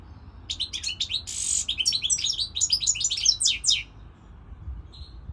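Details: European goldfinch singing: a quick run of bright chips, a harsh buzz, then jumbled tinkling twitters, closing with one soft whistled note after a pause.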